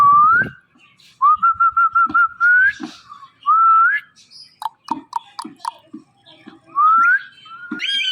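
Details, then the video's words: Indian ringneck parakeet, a talking pet bird indoors, giving rising whistles and a quick series of level repeated whistle notes, followed by clicks and taps, then more upswept whistles. "Funny Indian Ringneck Talking Parrot"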